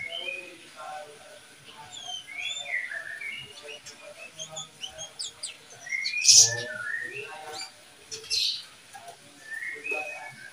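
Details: Captive oriental magpie-robin, part of a breeding pair, producing a continuous run of short chirps and thin whistled slurs with one louder sharp note midway, over a faint steady background hiss.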